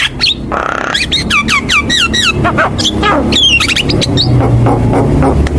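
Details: Javan myna singing hard for use as a training recording: a fast series of falling whistled notes and clicks, with a steady low drone underneath.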